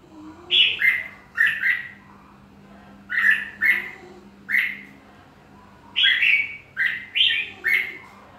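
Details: Red-whiskered bulbul song made of clipped, whistled two-note phrases, each dropping slightly in pitch, delivered in clusters of two or three with short gaps between, against a faint steady low background hum.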